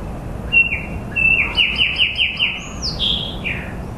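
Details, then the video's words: Outdoor bird song opening with two clear whistled notes, followed by a quick series of downward-slurred chirps in an even rhythm, then high swooping whistles that fall away, with constant low ambient hum beneath. "Bird chirping bird singing bird sounds"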